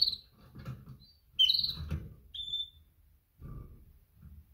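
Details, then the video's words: Female canary calling to males: a few short, piercing chirps and one thin whistled note, accompanied by low rumbling thumps and background hum. "Best female canary mating call - female calls males - female sounds chirps"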